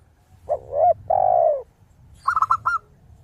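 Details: Zebra dove in full song with a crisp, crystal-toned voice: a tight run of three or four short, high, clipped coos near the end. Before it come deeper, rounded coos and a long descending coo from another dove.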